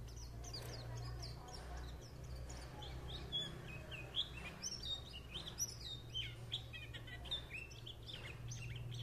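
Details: White-eye warbling in a lively stream of thin, high twitters and quick rising and falling notes, dense throughout, with a constant low droning hum underneath.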